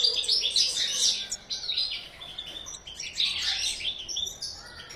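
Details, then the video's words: European goldfinch in a breeding aviary singing two energetic bursts of high, tinkling twitters and trills, quieter between them. "Goldfinch breeding_chant chardonneret"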